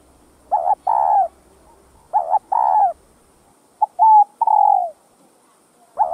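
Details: Spotted dove (cu gáy) cooing: two wavering double-coo phrases, then a clipped note with a level coo and a long falling coo, the start of another phrase at the end, near silence between.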